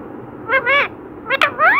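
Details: Talking parrot repeating 'Radhe Radhe' produces two quick nasal, voice-like phrases, each swooping upward then falling, spaced under a second apart, over a constant hum.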